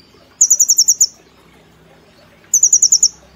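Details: Caged brown-throated sunbird singing cililin-style nembak phrases: two identical bursts of about eight quick, shrill ringing notes, roughly two seconds apart.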